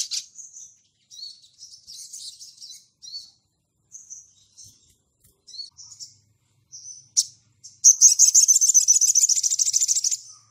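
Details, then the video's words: Sunda bush warbler (sogon) in ngleper style, calling to a rival: scattered soft high chips and whistles, then a loud fast rattling trill of rapid high notes for the last few seconds. "SOGON GACOR NGLEPER MEMANGGIL LAWAN"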